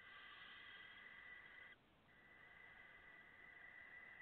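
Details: Five barn owl chicks from a late August 2017 hatch producing a long harsh hiss, a brief break, then another steady rasping hiss.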